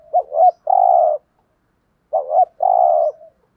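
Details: Spotted dove kept as a caged decoy for wild doves, giving two identical coo phrases about two seconds apart, each two quick looping notes then a long flat buzzy coo.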